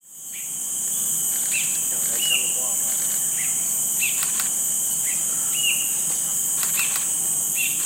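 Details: Cinereous Bulbul, also called Ashy Bulbul, a rare non-breeding visitor in Singapore, calling non-stop while its partner calls intermittently in the background: short, sharp, slightly downslurred notes repeated roughly every second over a steady, loud, high insect hiss.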